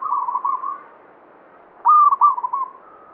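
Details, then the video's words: Banyumili-style song from a local zebra dove, a bird believed to draw good luck; a rolling trilled coo, a pause, then a loud high stepped phrase trailing into fading rippling notes. "Perkutut lokal banyumili suara gacor"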